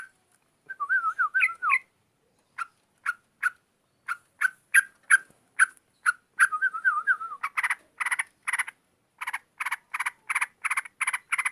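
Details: Yellow-vented bulbul in full, active song: short wavering warbled phrases alternate with sharp repeated chips, which speed into a fast, evenly spaced run of loud bright notes near the end.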